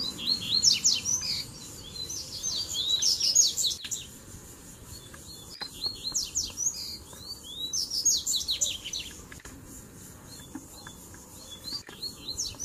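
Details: Double-collared seedeater songs in tui tui and zel zel styles mixed with mateiro song, played to fire up other birds: bursts of high, fast, buzzy chattering phrases about two seconds long, separated by quieter gaps, over faint low hum.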